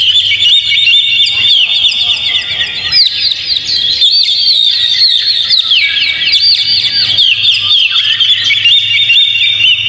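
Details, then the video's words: Oriental magpie-robin song used as a lure to set a caged bird singing: dense, continuous run of bright whistled and chattering phrases with quick upslurs and trills, overlapping almost without pause, with a faint low hum beneath. "PANCING KACER PLAY ON"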